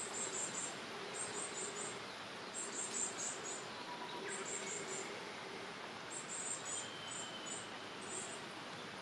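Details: Varied tit nestlings: thin, very high chirps in quick bursts of three to five notes, repeated every second or so against a steady background hiss.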